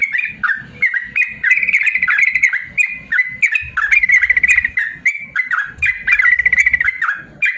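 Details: Yellow-vented bulbul singing a long 'ropel panjang' song, used as a tutor recording for lazy-singing bulbuls: bubbly whistled notes near one pitch, broken by fast rattling trills, repeated about three times per second.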